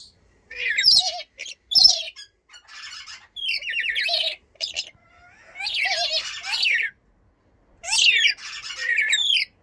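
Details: Blue-streaked lory producing a run of harsh, grating squawks and screeches in irregular bursts, with short gaps and some softer chattering between louder calls.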